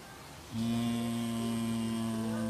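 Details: A very talkative capuchinbird, recorded on 9 May 2015, gives a low, steady, drawn-out mooing drone holding one pitch for about two seconds, with faint background hiss.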